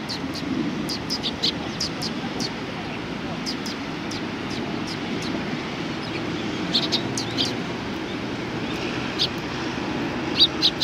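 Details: A flock of sparrows at a Tenmangu shrine in Japan on 31 March 2020 keeps up a steady patter of short, high chirps throughout, with a faint hum of traffic underneath.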